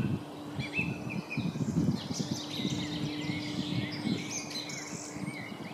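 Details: Song thrush singing: varied sharp whistled notes and short trilled phrases, some repeated, over a steady low hum and faint rustling.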